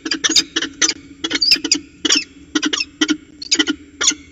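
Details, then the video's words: During a ritual dance at Orange CSU, NSW, in February 2020, peregrine falcons trade harsh squeaky chatter: clusters of two or three rasping notes separated by short gaps, some notes sharper and higher. "Peregrine Falcons Orange CSU NSW, Chatting and Ritual Dance"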